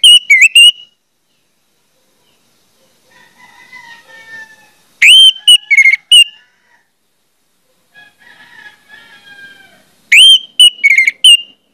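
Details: Orange-headed thrush song used as a lure to get other orange-headed thrushes singing quickly: loud, clear whistled phrases with sliding high notes about every five seconds, separated by softer, lower warbling.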